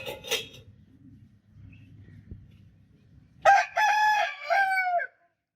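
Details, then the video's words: A rooster crows once after a stretch of faint low background noise: a brief burst of harmonic opening syllables, then a long, slightly falling drawn-out note, about one and a half seconds in all. "Rooster Crowing Sound Effect Continuously"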